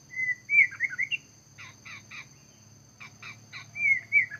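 Scarlet minivet giving high, thin warbled whistles, then quick runs of sharp downslurred notes in groups of three or four, over a faint low hum.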